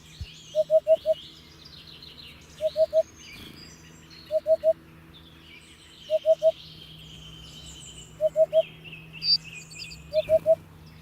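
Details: Repeated hoopoe call: six groups of three or four hollow, low-pitched hoots, spaced about two seconds apart, with busy twittering of other birds in the background.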